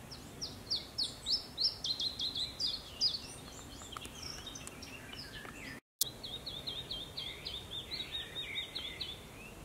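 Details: A possible Iberian chiffchaff (Phylloscopus ibericus) in South Holland on 4 May 2022 sings two runs of quick, high, sharp notes, about three per second, separated by a brief break, over faint outdoor background noise.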